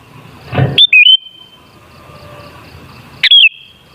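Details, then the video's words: Sooty-headed bulbul phrase used as a lure to set bulbuls singing: a dull thump, then a short whistled rising-falling phrase near the top of the voice with a lingering ringing tail, repeated once more after about two and a half seconds. "Suara Burung Kutilang Sangat Ampuh Untuk Pancingan Jadikan Kutilang Ngamuk Gacor"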